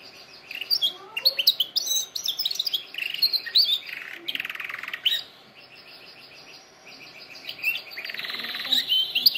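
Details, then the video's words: Canary singing, used for training canaries: quick high chirped phrases, then a dense buzzy roll near four seconds, a quieter stretch, and renewed trilling at the end. "canary singing best video to training canaries birds"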